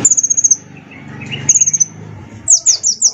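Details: Sunbird, a shiny small bird kept as a tutor and lure for other songbirds; very high rapid trills repeated in short bursts over a steady low background hum.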